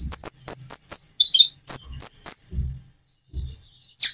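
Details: Common iora singing with natural pauses, intended to coax other birds into singing. A rapid string of sharp high chirps, about four per second, then breaks marked by soft low thumps and a final high note.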